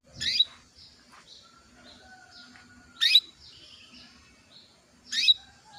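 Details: Calling female canary, used to raise a male's breeding drive so he sings quickly; three short, bright, upswept calls about every two and a half seconds over a quiet backdrop of faint twittering and thin whistles from other birds.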